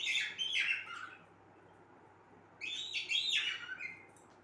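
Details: Two clusters of bright, rapid whistled chirps from a singing cockatiel, each cluster with falling notes, separated by a quiet gap of about a second and a half. Steady low hum behind.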